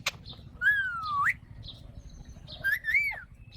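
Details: Alexandrine parakeet making long, smooth whistled notes, one sliding steadily down and then sweeping up, the next arching up and over, over a constant low rumble.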